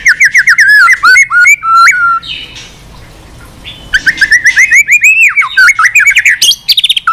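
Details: Energetic many-voiced fighting song of a white-rumped shama, played to excite other shamas into singing and tail-flicking. Rapid runs of fluty, warbling notes are cut by quick chips, with a short quieter break midway before the song resumes.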